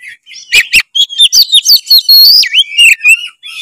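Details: Oriental magpie-robin in lure song: sharp clicks, then a fluent run of varied whistles ending in a long falling slur and quick chips, loud and clear.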